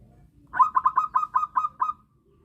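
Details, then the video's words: Local zebra dove lure call for trapping: one quick run of about eight clear, rolling coo notes, evenly paced and fading into a final drawn note, with a quiet background. "Pancingan perkutut Lokal suara asli"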